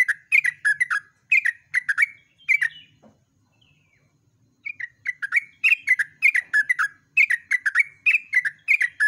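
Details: A yellow-vented bulbul sings at dawn: long, rapid, bubbly phrases of liquid chirps, with a brief pause near the middle before resuming energetic, nonstop chatter.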